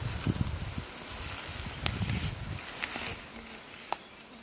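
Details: River warbler singing in Belarus during a birding tour, a sustained high mechanical ticking buzz of rapid even pulses, cricket-like, over rustling and low background noise with occasional clicks.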